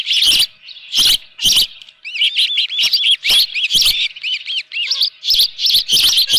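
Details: Osprey with a live fish at its nest, 24 June 2018, 7:32 AM: three loud shrill bursts, then a rapid series of arched, whistled cheeps mixed with harsher piercing calls.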